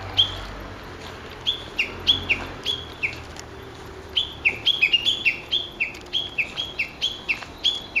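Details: Japanese bush warbler in ecology-park woodland on 06/12, scattered whistled notes at first, then a quickening string of bright down-slurred notes repeated steadily, with faint clicks in the background.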